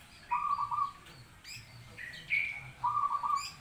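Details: Zebra dove song: short bursts of rapid, trilled cooing notes, a pair of phrases about two and a half seconds apart, with a few higher chirps between them over a low background hum.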